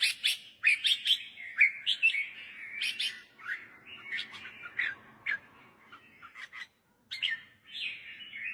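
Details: Red-whiskered bulbul song used to teach young birds to sing or to excite birds: a lively stream of clear whistled, warbling phrases, roughly one a second, loud at first, softer midway, then picking up again.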